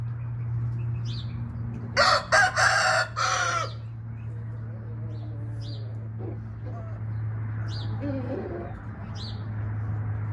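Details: Red junglefowl crowing: one loud, harsh crow broken into several strained segments lasting under two seconds, over a constant low hum and faint distant chirps.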